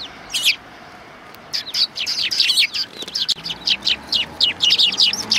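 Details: A flock of sparrows at a Tenmangu shrine approach on 12 December 2019 chatters in quick runs of sharp, high chirps, nearly continuous after a brief pause early on.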